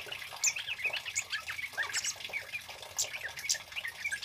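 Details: Male Scarlet-headed Flowerpecker in full, loud song, suited to luring and training birds: crowded high chips and quick slurred twitters, piercing notes at about half a second, two and three seconds, over a gentle hiss.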